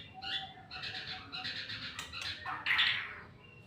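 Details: White-rumped shama in full song: a varied run of bright whistled and chattering phrases, with a louder, richer burst near the end over a low background hum.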